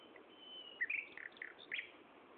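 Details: Common nightingale singing at Gaasperzoom on 16 May 2012 at 15:30: faint phrases of short, sharp whistled notes and quick chirps in a varied sequence, heard over a soft background hiss.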